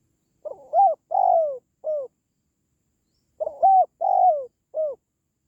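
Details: Spotted dove call used to boost the spirit of pet doves or lure wild ones: low cooing phrases of three notes, a short rising coo, a longer falling coo and a brief final note, given twice with a pause between.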